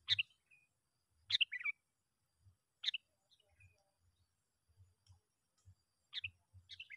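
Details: Lure call of a sooty-headed bulbul for bringing other bulbuls closer: sharp chirped bursts at irregular gaps of one to three seconds, some followed by a lower bubbling trail, with faint low thumps between.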